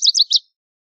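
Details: Lazuli Bunting gives three quick, high, sweet chirped notes in under half a second, a short fragment of its song, with silence after.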